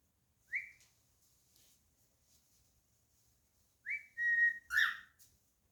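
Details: Pet cockatiel whistling indoors: a lone rising chirp, a quiet gap, then a rising note sliding into a level whistle and a harsher burst.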